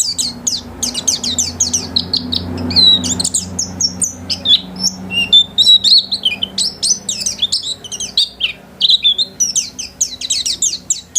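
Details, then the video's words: A domestic white-eye sings nonstop, pouring out fast, high twittering phrases, sharp chirps and a few thin drawn whistles, in almost continuous bursts over a light background hum. "Burung pleci gacor kelas rumahan"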